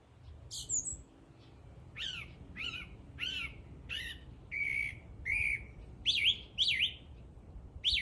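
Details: A bird sings a varied run of notes: downslurred whistles, then steady whistled tones and zigzagging trills, roughly one phrase per half second.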